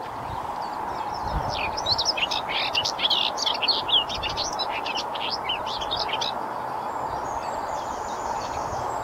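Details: Greater whitethroat singing on its breeding territory in riparian marshland at Rainham Marshes Nature Reserve, Essex: dense, scratchy, chattering warble of quick high notes running for about six seconds over a steady background hum.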